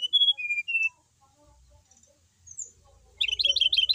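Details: Kept brown-chested jungle flycatcher from Bali, singing steadily: three clear level whistles, a pause, then a fast burst of bright looping notes about three per second.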